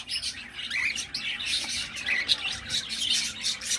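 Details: Young cockatiel making a steady run of rasping, wheezy chirps with brief squeaky notes rising through them, with no pause across the clip.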